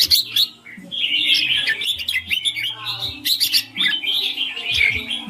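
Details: Clear ring-style song from a red-whiskered bulbul: long, fluid, whistled warbling broken by sharp high chirps, with phrases running almost without pause over a faint low hum.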